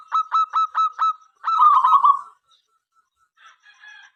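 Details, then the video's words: Local zebra dove singing to invite others to sing: five evenly spaced clipped coos, then a rapid rolling trill lasting about a second, followed by faint softer notes. "perkutut lokal gacor suara MENGGODA apapun jenisnya 5 detik nyaut"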